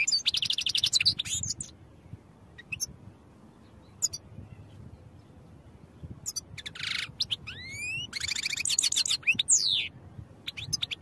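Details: European goldfinch song used for training: rapid high twitters, dense buzzy trills and several clean rising whistled sweeps, delivered in bursts with brief gaps, over low background noise.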